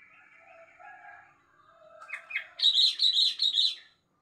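A sooty-headed bulbul sings a loud, bright burst of bubbling whistled phrases, rising into a rapid run of high, rolling notes at the end.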